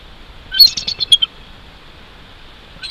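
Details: Bald eagle at its nest about 145 feet up in a Jeffrey pine at Big Bear Lake, California, 22 January 2023 at 06:28: a quick burst of high, thin chirping notes, then quiet, with another call starting at the end.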